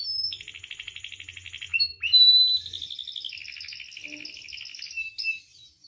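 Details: Canary song meant to train and provoke caged canaries to sing, with rapid buzzy rolls, a loud sustained whistled note, then wavering trills that drop slightly in pitch.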